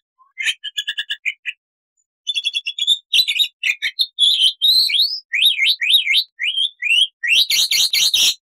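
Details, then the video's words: Black-winged starling in loud song: quick stuttering chips, then a string of sliding up-and-down whistled squeals and a final burst of harsh chattering notes; clean recording with no other animals. "MASTERAN JALAK PUTIH GACOR FULL ISIAN"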